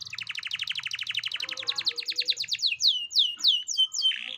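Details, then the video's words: Canary song used as a lure to get a young canary singing: a fast, even rattle of repeated notes that slows into separate, loud, downward-slurred whistles, with a faint low hum underneath. "Pancingan Kenari Paud Agar Bunyi"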